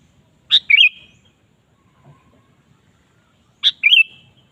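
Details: Sooty-headed bulbul singing, a lure to prompt a kept bulbul: two matching phrases three seconds apart, each a crisp high note then a quick liquid two-note warble; faint low background noise.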